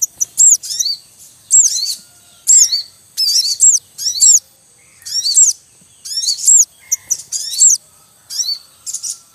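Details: Breeding Javan munias in the wild, a male calling among chicks: loud, dense bursts of high bent chirps repeated about once a second, forming a constant twittering chatter.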